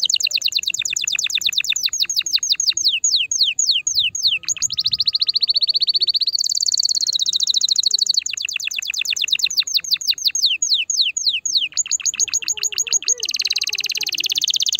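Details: A canary sings to stimulate a female for breeding: long sequences of rapid sweeping trills and buzzy rolls changing tempo and pitch throughout, with a faint low murmur in the background.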